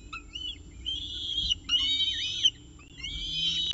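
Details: Peregrine falcon with breakfast on the CSU Orange nest, October 19, 2018: a few drawn-out, wavering whistled wails with harmonics, separated by short pauses, over faint electrical hum.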